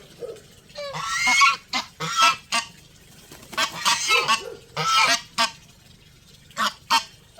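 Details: Loud, rasping goose honks arrive in clustered bursts separated by pauses, a few shorter single calls near the end.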